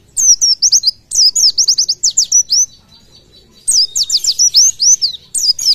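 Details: Oriental white-eye (pleci) in the tembakan song style, used as masteran to train other birds; very high, thin, rapid descending slurred notes in three fast bursts broken by short silent pauses, with no other sounds.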